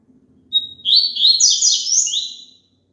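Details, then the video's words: Double-collared seedeater, a song to get a caged bird singing along: a high whistled note, then about two seconds of fast, buzzy, rolling trills that rise and fall before tailing off. A faint low hum sits in the background. "COLOCA ESSE CANTO PARA SEU PAPACAPIM CANTAR JUNTO"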